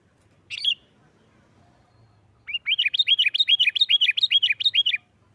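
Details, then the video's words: Sooty-headed bulbul giving an agitated, combative song used to trigger rival bulbuls: one sharp note, a pause, then a fast run of paired high-low chirps repeated steadily for over two seconds. "Suara Burung Kutilang Gacor Nggaruda KUTILANG RIBUT Ampuh untuk TES Mental EMOSI Kutilang Lain."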